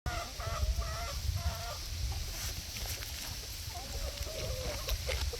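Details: Several chickens gossiping in a barnyard give short, nasal, harmonic clucks in quick bursts early on, then a drawn-out wavering cluck near the end, over a steady low rumble and background hiss.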